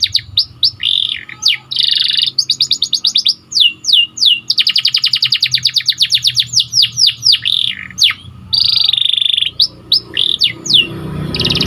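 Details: White canary chirping in a training recording: rapid rolling trills and chopped sweeping notes, steep descending slurs and buzzy stretches high in pitch, delivered almost continuously with brief pauses, a faint low hum beneath.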